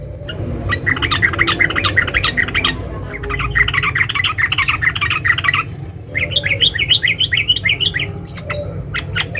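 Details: Calling to a male, a female sooty-headed bulbul pours out long bursts of dense chattering chirps, then a series of rising warbled notes, with a continuous low background hum.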